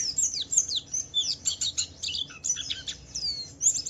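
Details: Pleci Wiklus Wiksar white-eye in full gacor song for luring other white-eyes to join in; quick run of thin, high chirps and falling whistled slurs packed closely together, with brief breaks.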